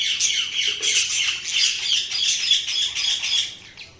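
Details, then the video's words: Budgerigars chirping: dense, continuous high twittering and squawky chatter, rapid overlapping notes about three to four per second, steady throughout with slight swells in loudness, indoors with no other clear sounds. "Budgies Sounds| Budgies Chirping sound"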